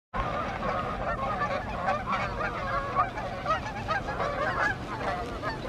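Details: Canada geese flying in the evening, summer or fall 2020, giving a dense chorus of overlapping nasal honks from many birds, steady and continuous throughout with no pauses.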